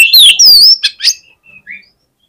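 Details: Oriental magpie-robin delivering aggressive fighter song to excite an opponent. A loud, bending whistled phrase with sharp upward and downward sweeps, then two brief chips and a few faint trailing notes.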